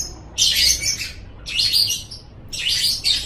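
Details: Lovebird singing for a pet-bird training recording: three loud, harsh, squealing bursts, each about half a second long, roughly a second apart, separated by near silence.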